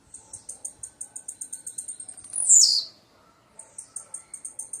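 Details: Blue-black grassquit: a long, regular train of high ticks rises into one loud, buzzy, descending call, with the ticking starting again afterward. Little else is heard.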